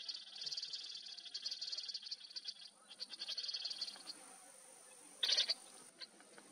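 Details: Least grebe in Cantareira State Park, São Paulo, Brazil, March 2024, gives a high, rapid, buzzy chatter for about four seconds, then a louder, harsher burst, with a steady thin high whine underneath.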